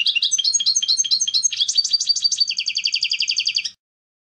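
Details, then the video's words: European goldfinch delivering a clean song of varied rapid twitters and chirps that settles into a fast, steady high trill before stopping. "Clean Song of the GOLDFINCH | Chant chardonneret"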